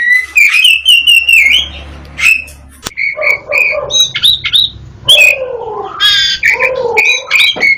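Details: Black-breasted magpie-robin, the local East Java bird of the Kacer kind, offered as a master song for training birds; loud varied whistled phrases, some rising and falling, with a buzzy burst, mixed with softer notes and a low hum.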